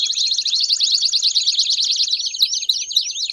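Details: Belgian canaries singing as a group: a fast, high, zigzagging trill, followed by slower looping whistled notes repeated several times.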